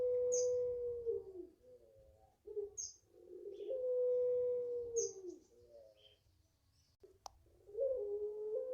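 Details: Home-raised Barbary dove, five months old, puter pelung style, repeating a long level coo that falls at the close, with short mid-pitched notes between phrases and faint high chirps of another bird.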